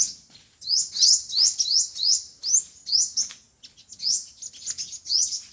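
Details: Sunbird song, five-colour and seven-colour types, meant for speaker lures to trap wild birds: thin upward-sweeping high chirps repeated about three times a second, steady then slightly broken.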